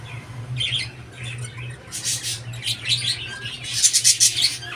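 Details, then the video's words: Pet budgerigar chattering indoors: bursts of scratchy, buzzy warbles and squeaks, sparse at first, then denser and louder toward the end, over a steady low electrical hum. "صوت البادجي وجماله"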